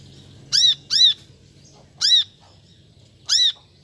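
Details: Brown-throated sunbird giving a quick double chirp, then two single bright arched chirps after pauses, in a quiet setting.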